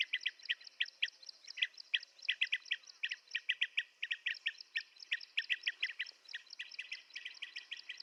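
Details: Rapid chorus of blue-tailed bee-eater calls, crisp rolling chirps repeated over and over from more than one bird, continuous throughout over a faint high background hum.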